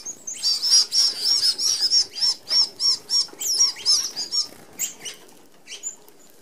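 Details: Red-browed finches, an Australian native, feeding as a flock at a mesh-fronted open aviary feeder; a busy run of short high chirps repeated about three times a second amid whirring wing flutters, fading after five seconds.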